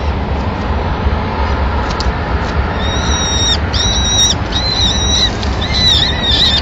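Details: Peregrine falcons in Madrid on 25 April 2016, the female feeding the chicks a pigeon she brought in as the male departs; after three quiet seconds, clear level whistles about half a second long repeat with dipping ends over a low hum.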